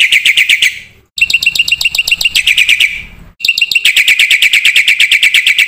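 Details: Energetic Black-winged myna song, called 'full isian' for its fill-in phrases and used as a training and lure recording. Rapid, harsh repeated notes come in three bursts separated by brief silences.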